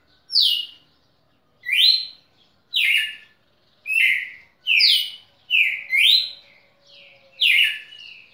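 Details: A red-cowled cardinal, recorded 6 December 2017, sings loud, clear whistled phrases, each note slurring up or down, repeated about every second with brief pauses. No other sounds are heard.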